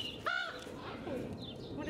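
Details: Odin, a 10-year-old common raven at a zoo, behind the scenes with keepers, gives one short, harsh, nasal call, deeper than a crow's caw, while a person talks steadily in the background.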